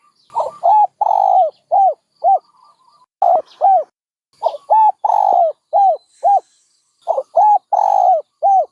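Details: Dove calling in repeated coo phrases: clipped hollow notes bunched around a longer mellow coo, three phrases in a row with brief gaps.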